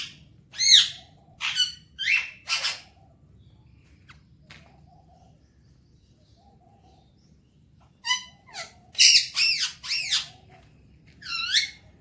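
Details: Talking Alexandrine parakeet enjoying morning time; clusters of sharp squawks and curved whistled notes, a long quiet pause in the middle, then another burst of squawks and chirps.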